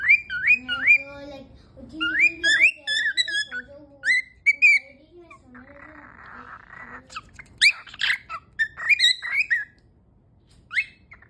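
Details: A playful pet cockatiel whistles a run of rising and falling notes, broken by a brief raspy hiss.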